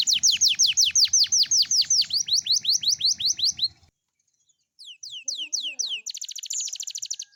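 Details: Young canary singing in the morning, a recording meant to prompt other young canaries to sing: a fast run of loud, high downslurred whistles, about six per second, then a pause and a few more sweeps ending in a dense buzzy trill.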